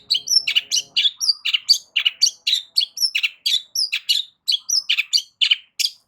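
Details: Long-tailed shrike in loud varied song aimed at provoking other shrikes to answer: a rapid chattering stream of sharp high chips and short whistles, many notes per second, with a faint low hum at the start.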